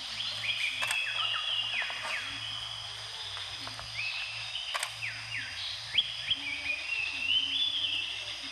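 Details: Mangrove whistler (Pachycephala cinerea) recorded in Brunei in 2013, giving clear, quick whistled notes, some sliding up and some dropping, amid other bird chatter over a low steady hum.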